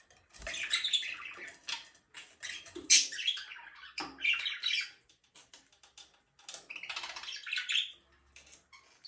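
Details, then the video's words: Budgerigar chirping in varied, scratchy warbling bursts, rapid twittering phrases mixed with harsh squawky notes, broken by brief silences, with faint low thumps. "budgies parrot chirping sound"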